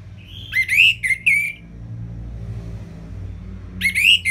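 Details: Orange-headed thrush song used as training audio for reluctant caged birds: rich whistled phrases with buzzy overtones, a cluster of three notes, a pause of two seconds, then another phrase.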